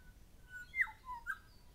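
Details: Calling grey shrike-thrush pair gives a ringing whistle that drops sharply to a lower tone, then a short higher note, with thin faint chirps above and soft low background noise.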